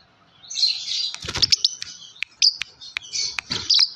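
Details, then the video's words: Chirping of a yellow lovebird, shrill high notes mixed with rapid clicking ticks and short sharp peeps, delivered in uneven bursts throughout with brief pauses between. "Lovebird yellow chirping sound"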